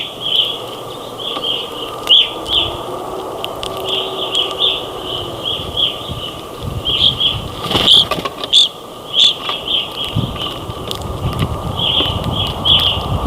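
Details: Flock of grosbeaks and other birds eating during a northern Ontario snowstorm: bursts of high, brief chirping calls throughout, with low rumbling background noise and loud knocks and clatter partway through.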